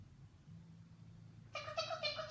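An Eclectus parrot gives a sudden, nasal, meow-like call lasting under a second, rich in overtones, after a quiet stretch of low indoor hum.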